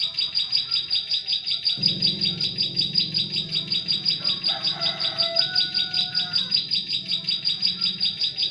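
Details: Bar-winged prinia song used to lure prinias in forest: quick, even series of piercing chirps running nonstop, with a low hum joining after two seconds and faint lower whistles midway.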